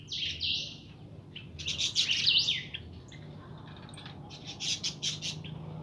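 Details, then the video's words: Young European goldfinch (pintón) kept as a pet, singing bursts of bright twittering and buzzy notes, with a louder tangled phrase midway and quieter chips afterwards over a faint low hum. "Mi jilguero pinton"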